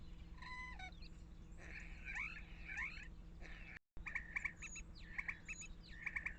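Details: Common starling giving a varied medley of thin whistles, downward-slurred notes and short clicks over a steady low hum, with a brief gap near four seconds followed by repeated rising and falling whistled phrases.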